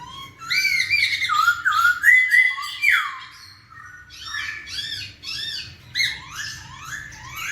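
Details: Song of a caged masked laughingthrush, played to spur idle birds into singing. Loud, rich phrases of slurred whistles and harsh squawks come in tight bursts, with a brief pause after three seconds before a fast sequence of arched notes.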